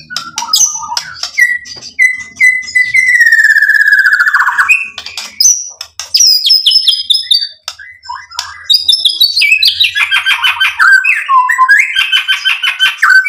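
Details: Murai batu, the white-rumped shama, in loud varied lure song: clear whistles, sliding notes and rapid chattering phrases alternating with brief pauses, rich and fluty throughout.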